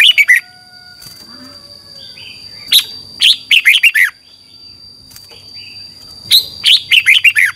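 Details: {'text': "Red-whiskered bulbul from Thailand singing a training song in the 'phleng boen' double style: three bursts of bright, warbled, downward-sweeping notes, the second and third with five to six notes each, over a steady high whine."}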